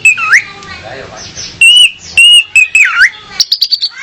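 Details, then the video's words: Female orange-headed thrush song aimed at attracting a male, used as training material: loud flat whistles and looping slurred notes, ending in a fast series of high, evenly repeated chirps. "Kicau Anis Merah Betina Pemikat Anis Merah Jantan Biar Gacor"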